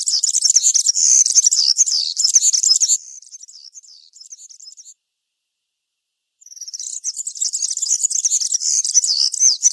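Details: European serin, country-style song in woodland: quick, high, wiry jingling for three seconds, a thinner softer phrase, about one and a half seconds of silence, then the vigorous tinkling trill starts again.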